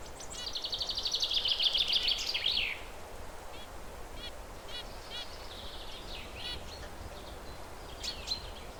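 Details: Perched zebra finch giving a loud, rapid buzzy chatter of repeated harmonic notes for nearly three seconds, followed by softer scattered clicks and chirps.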